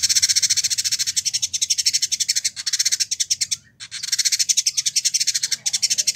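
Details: Village indigobird, a captive bird kept for a year in Bandung, West Java, Indonesia, in full song for training birds: a dense run of rapid buzzy high notes, repeated without break apart from one brief pause.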